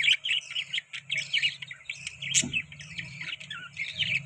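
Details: Several budgerigars chatter continuously while eating soft food, a fast stream of high warbled chirps over a low steady hum, with one sharp click near the middle.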